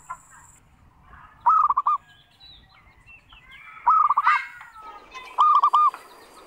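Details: Zebra dove (local perkutut), a strongly singing bird used as a lure to prompt other doves to answer, cooing in three soft, rolling phrases about two seconds apart, each a quick run of warbled notes; faint chirps from other birds behind.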